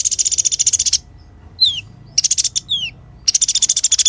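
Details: Sunbird in full voice for songbird training: a rapid high buzzy trill, a descending slurred whistle, a brief stuttering burst and a second falling whistle, then the trill resumes.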